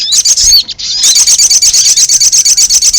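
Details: Ruby-cheeked sunbird lure call for attracting wild birds to be trapped: loud high sharp chips, then a fast even trill of rapid ticking notes, about five per second.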